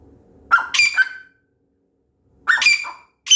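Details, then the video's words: Grey francolin, known locally as teetar or bhura teetar, giving two separate harsh, squawking call phrases about two seconds apart, each a quick cluster of grating notes, with silence between and the start of a third at the end. "Teetar ki awaz | Teetar voice"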